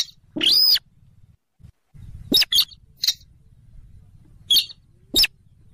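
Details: Trapping-lure sound of a rail, known as weris or mandar dengkur, a bird of swamps near rivers and lakes: one long arched squealing screech, then scattered short sharp chips, with a low hum underneath.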